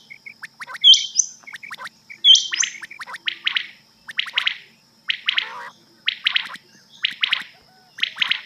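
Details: Rain quail calling at night, recorded as a hunting lure cassette: two loud high whistled notes early, then repeated buzzy double and triple chirps about every second.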